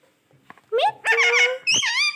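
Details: Talking pet parrot in a small room making a short, shrill, speech-like phrase of three loud bursts with sliding, rising tones after a few soft clicks.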